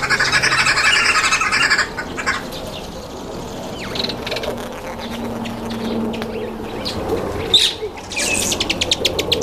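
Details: Red-billed wood hoopoe, described as a very noisy bird, calling at a feeding table: harsh, rapid cackling chatter for the first two seconds, then quieter scattered squawks and chirps over a rural background.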